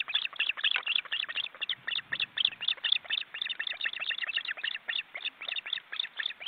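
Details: Grown osprey chicks calling from a cramped nest watched by a forest-reserve webcam in Estonia, four birds sharing it while the young flap their wings: rapid, sharp chirping notes about four per second in a steady stream.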